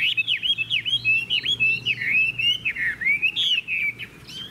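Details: Chinese hwamei with a good voice sings a string of loud, clear whistled notes, each swooping down then up, in quick rhythmic bursts about every quarter second, with a faint hum behind.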